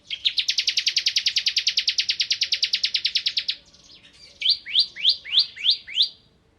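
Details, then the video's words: Long, even, machine-gun trill of over thirty rapid high notes from a ciblek kristal (bar-winged prinia) singing ngebren, followed by five louder, slower, upward-swept whistles. "Suara Burung Ciblek Kristal Gacor"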